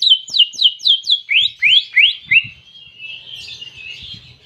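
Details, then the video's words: Canary-imitating song of a greater green leafbird: several sharp down-slurred chips, then four rising sweeps, fading into a soft, wavering high trill with faint background knocks. "Masteran Cucak Ijo Isian Kenari Jernih"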